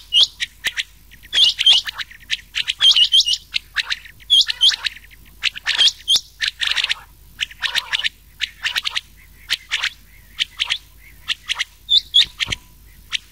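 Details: Rain quail call mixed with an old quail's voice, meant for rain quail hunting at night in summer: high, sharp chirps in rapid clusters repeated about forty times a minute at an uneven pace over a quiet background.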